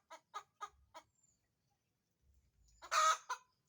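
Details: Chicken about to lay, hunting for a nesting place: four quick clucks, a pause, then a loud rough squawk with a trailing cluck.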